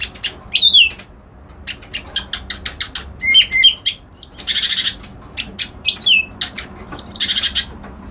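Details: Reed warbler singing a fast, varied song: sharp clicking notes, quick downslurred whistles and rasping buzzy bursts, delivered in uneven runs with brief pauses.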